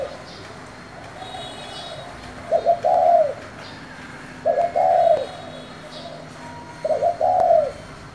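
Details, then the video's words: Spotted dove giving 'thổ'-style coos to stir other doves: three evenly spaced, low, rounded phrases, each a quick double note and then a longer coo, over steady faint hiss. "Cu gáy giọng thổ gọi, thúc kích bổi nhanh nổi"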